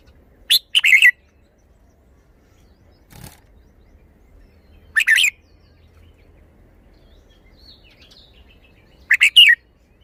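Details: A red-whiskered bulbul shows its song style with three short, bright chirping phrases spaced about four seconds apart. A soft knock is heard between them, in a quiet setting.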